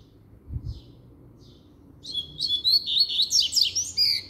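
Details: Double-collared seedeater singing firmly: after two faint short notes, a fast run of high, sharp warbled and trilled notes begins about halfway in and continues to the end, over a quiet indoor low hum.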